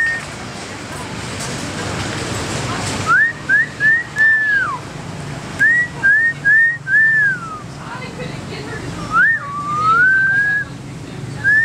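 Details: A captive male common hill myna at a restaurant in Battambang, Cambodia, recorded at dusk in July 2011, whistles at passers-by. It gives loud, clear whistles: quick rising flicks in twos and threes, then longer swooping wolf-whistles, after a rushing noise, over faint street sounds.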